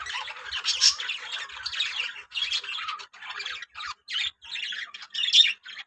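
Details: Yellow budgerigars in a breeding colony give bursts of high, grating chatter and squawks, separated by brief pauses that grow more frequent later on.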